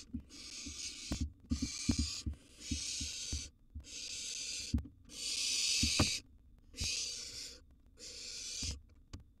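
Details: Barn owl nestling, wild, inside a nest box during a meal of a large gerbil, gives a string of rasping, noisy hisses of about a second each with brief pauses, along with knocks and shuffling.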